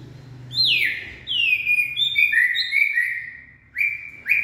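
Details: A white-rumped shama (Copsychus malabaricus) sings in the late afternoon on 18 February 2024, giving rich, clear whistled phrases that slide downward, then a run of varied notes and quick rising whistles, with a faint low hum underneath.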